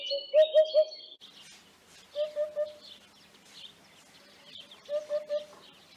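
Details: A Eurasian hoopoe (Upupa epops) sings soft, low hollow triplets, oop-oop-oop, about every two and a half seconds, while other birds chirp and twitter higher up.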